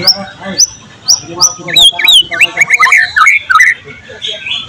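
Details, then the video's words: White-rumped shama song from a bird-training mix that blends in lesser green leafbird, black-crested bulbul, canary and lovebird material: rapid varied whistles, first sharp upslurred notes repeated about twice a second, then tumbling liquid phrases and chatter. "volume siulan murai batu gacor tembus materi isian"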